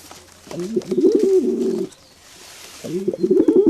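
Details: Two bursts of low, burbling pigeon coos, each about a second and a half, separated by a quiet gap, with warbling rises and falls and a faint rustle between them.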